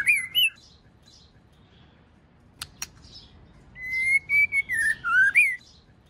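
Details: Female white-rumped shama calling to stimulate a male to sing: a short clear whistle at the start, a quiet gap with two faint clicks, then a run of sliding whistled notes that rise and fall.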